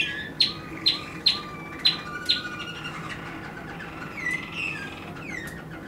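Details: Waterslager canary singing, 2016: opens with five evenly spaced sharp bright notes about half a second apart, then shifts into softer rolling and sliding whistled phrases.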